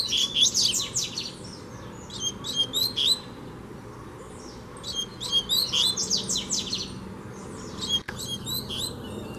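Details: Uncaged double-collared seedeater challenging a caged male with vigorous song: rapid clusters of high, sharp whistled and buzzy notes in three main bursts separated by brief gaps, over faint steady background noise.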